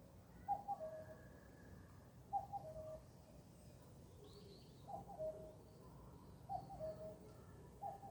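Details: Bird singing at a distance: brief mid-pitched phrases of quick notes dropping to a lower tone, repeated every one to two seconds, with faint high whistled notes and a soft, steady low background rumble.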